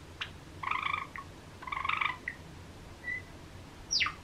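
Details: Pet cream Java sparrow calling in its usual rhythm: two bursts of stacked, chattering notes, each about half a second, separated by short clicks, a brief flat whistle and a final sweeping downward note over a low background hum.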